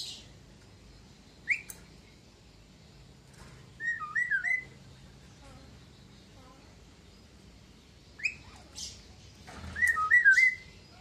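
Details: A captive Javan myna, about two years old and kept since young, able to mimic several sounds, gives short bursts of loud, varied whistles, some rising and warbled, some harsher, in four phrases with quiet gaps.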